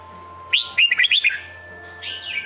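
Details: Short song phrase from a Red-whiskered bulbul of the Sông Kôn type: a string of five or six rapid, bright whistled notes, then a pause and one softer descending slur.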